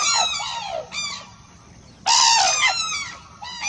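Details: .Cranes calling: loud, harsh, ringing trumpet notes, each sliding downward in pitch. There are three bursts, the strongest beginning near the two-second mark, over a steady faint hiss.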